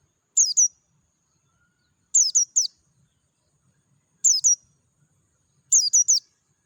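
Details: Oriental white-eye of the Dakun type singing in the wild in natural surroundings with a clear voice: four quick bursts of two or three very high, thin, downslurred chirps, spaced about two seconds apart, over a quiet background.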